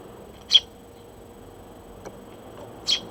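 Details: Morning sparrows at a feeding place, June 2023: two loud, piercing chirps separated by over two seconds, with a few faint softer notes in the gap and a low electrical hum throughout.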